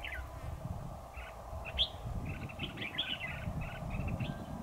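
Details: Red-whiskered bulbul recorded during a bird-trapping session on 7 October 2019, a decoy singing to lure a rival. Short bright chirped and warbled notes come in quick clusters, with steady low rumbling background noise throughout.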